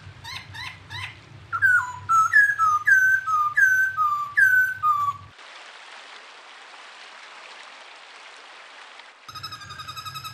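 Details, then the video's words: Unusual songbird on a clear master recording meant for tutoring kept songbirds: short chirps, then a run of slurred whistles alternating high and low. A hissing rain-like noise follows, then quick bright trills, over a steady low hum. "master suara burung unik jernih"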